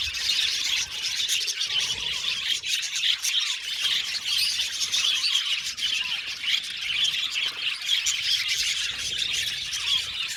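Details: Budgies chattering as a group, a busy stream of high chirps, short squawks and twittering warbles layered over one another without a break.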